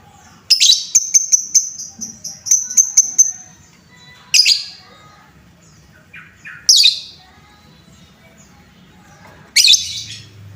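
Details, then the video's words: Lovebird sound played to excite other lovebirds: a rapid ticking trill of about a dozen sharp high notes, then three separate harsh squawky chirps spread over several seconds. "Suara pancingan lovebird Bahan, menaikan emosi lovebird"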